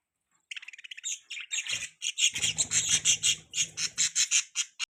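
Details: Baby budgerigar chirping while perched on a hand: rapid harsh chattering chirps, about three per second, scratchy and buzzy, getting louder midway, with faint low handling noise.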